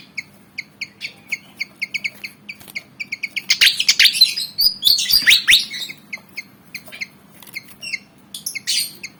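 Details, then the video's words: Javan fantail, black and white, eager to fight, repeats quick clipped chirps that build into loud squeaky slurred whistles and chatter, then settle back into chirps. "Burung Kipasan Jawa Ngotot Liat Pengen Tarung"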